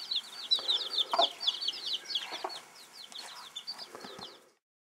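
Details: Bantam broody hen with her chicks: dense, rapid, high thin peeping from several chicks, overlapping and continuous, with a few lower soft clucks from the hen mixed in, fading out near the end.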